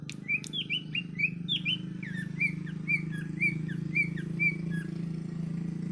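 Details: Greater green leafbird in Patek, Aceh Jaya, delivering a run of varied whistled and slurred notes, some falling, some rising, in a quick irregular series over a loud low humming background.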